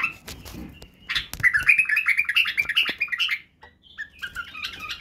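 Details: Song of a Badrawi bulbul, the white-eared bulbul, meant to teach young birds singing and barwaz: a few clicks, then a fast string of liquid whistled notes about two and a half per second, a brief pause, then softer phrases.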